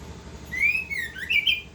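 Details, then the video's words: Orange-headed thrush (anis kembang) singing continuously in the ngerol style: clear whistled notes sliding up and down, rising into a brighter warbled phrase, over a faint low background hum. "Anis kembang gacor ngerol"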